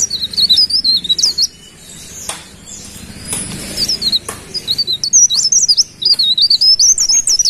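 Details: Golden-bellied gerygone, called cikrak daun or pare pare, singing: high thin whistled phrases that wander up and down, repeated in quick runs with short pauses, a few faint clicks between.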